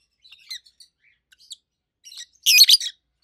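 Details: Two adult rosy-faced lovebirds, a red-head green opaline and a white-head pallid aqua opaline, kept as pets; a few soft high chirps followed by a loud burst of harsh, shrill chirping near the end.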